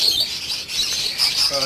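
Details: Lovebirds in breeding season chatter in a dense, shrill, high-pitched stream of squeaky calls, with a low human voice briefly heard near the end.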